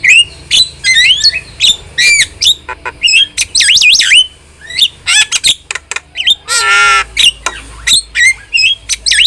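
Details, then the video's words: Starling song from a training and lure recording, a rich jumble of clear whistles, rising and falling slurs, squeaky notes and a brief harsh rasp, delivered rapidly with hardly any pause. "OCEHAN JALAK GACOR"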